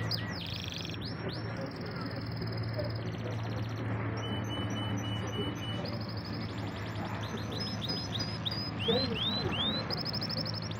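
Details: Singing canary kept as a pet, delivering long steady whistled tones, buzzy rolls and rising swept notes in changing phrases, with a constant low hum beneath.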